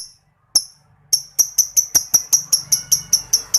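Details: Lovebird giving ngetik, a typing-like ticking chatter used to coax silent lovebirds into calling: sharp high clicks, two isolated then a fast steady run of about thirteen, roughly four per second.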